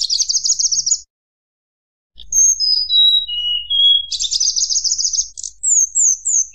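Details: Tledekan gunung singing nyuling to provoke rivals: an opening rapid high trill, a silent pause, then pure whistles descending step by step, another fast trill and short falling notes.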